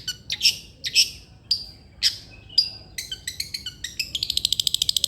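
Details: Long-tailed shrike singing, played to coax a lazy shrike into song: spaced harsh notes with sharp whistled tips, then quickening chips that end in a fast, even rattle of high strokes.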